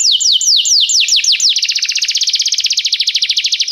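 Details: Canary tutor song for training a young canary: several slow downward-slurred whistles, then a fast even trill of short high notes repeated many times per second.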